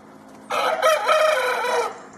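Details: Rooster crow from a heritage chicken breed, heard as a single rough, hoarse, broad-toned call of about one and a half seconds over a noisy background.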